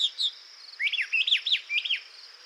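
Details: A Brown Thrasher, whose song vocabulary may reach about 2,500 phrases, sings for 40 seconds without repeating itself: a quick run of varied chirps and slurred notes, rising and falling, in short bursts about a second long, with a faint high hiss behind.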